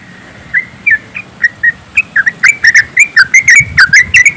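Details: Yellow-vented bulbuls in a flock chorus of rapid 'ropelan' song, meant to set birds singing. Scattered whistled chirps grow denser and louder into a lively run of bouncing notes, with low background rumble.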